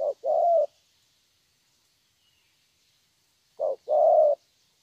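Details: Young wild-caught spotted dove with thổ voice giving two low cooing phrases, short note then long hum, separated by about three seconds of quiet.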